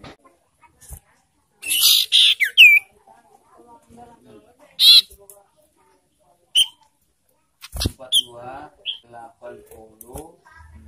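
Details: Ashy tailorbird lure call, used to provoke birds and bring them into breeding condition: loud harsh buzzy bursts, a few sharp rising notes, then quieter scratchy chatter.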